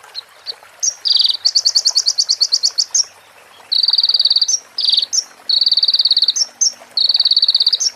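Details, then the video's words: A konin sunbird on a master recording for teaching other birds, said to carry female prinia and ciblek phrases: sharp chips, then a rapid pulsed trill, then several buzzy trills ending in bright flicks. "MASTERAN KONIN FULL ISIAN PRENJAK BETINA SAMBUNG CIBLEK BREN JERNIH JEDA ORIGINAL DARI SUARA KONIN !"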